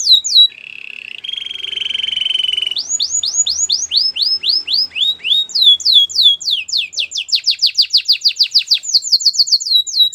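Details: White canary training song: a brief buzzy warble, then a long series of looping whistled sweeps that quicken into a dense rapid trill before steadying again.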